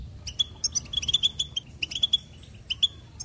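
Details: Goldfinch song: quick bright chirps and short twittering notes, mostly high-pitched, in loose bursts with brief pauses, over a faint low rumble.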